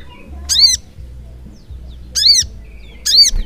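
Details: Crimson sunbird, locally sogok ontong, in 'gacor ngleper' continuous singing. Three loud, sharply arched high notes come about a second and a half apart over a low steady hum.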